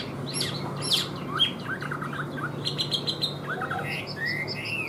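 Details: Busy, varied song from a caged Chinese hwamei: sharp chirps, quick twittering notes and short whistled slurs in rapid succession, ending in rising whistles, with a faint low hum behind.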